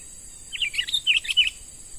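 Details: Young wild-caught sooty-headed bulbul, fresh from the forest and being trained as a lure bird, giving a quick run of bright, bubbling whistled notes, about six short phrases within a second, over a steady high insect hiss.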